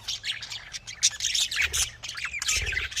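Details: Budgerigars, called Australian parrots, kept for breeding: nonstop scratchy warbling and squawky chirps from several birds, overlapping in a busy chorus.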